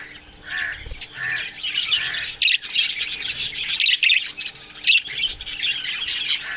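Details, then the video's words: A budgie colony in an aviary in the morning: a few lower squawky notes at first, then a lively run of high, bright chirps and warbles from many birds, with short pauses. "Budgies Morning Chirping Sounds"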